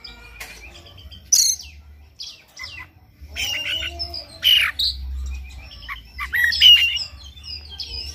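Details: Oriental magpie-robin morning song, played to push another bird to sing hard; scattered sharp whistles, buzzy harsh bursts and a pure whistled note between quieter pauses, with low background hum.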